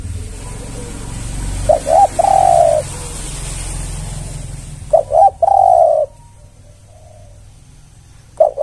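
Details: Spotted dove (tekukur) lure call: two coo phrases near 1.7 and 5 seconds, each a short note followed by a long, steady, low hooting coo, with a faint low hum behind and quiet gaps between.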